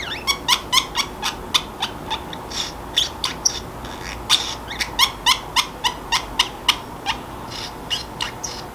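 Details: Free-roaming pet Pacific parrotlet chattering alone as drowsiness sets in, quiet indoor setting: rapid, fairly even run of short, sharp chirping notes, about three or four per second, pausing briefly, then resuming with bright, squeaky accents.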